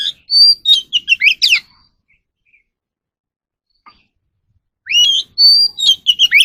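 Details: Captive Oriental magpie-robin singing during voice training: a rapid burst of clear whistled and slurred notes for about a second and a half, then a pause, then a second lively phrase of rising whistles and sharp chips.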